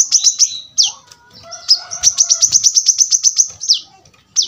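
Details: Kolibri kelapa, the brown-throated sunbird, singing in a dense, super-sharp style. Quick high notes and a downslur come first, then a pause, then a rapid string of piercing chips closing with another falling note.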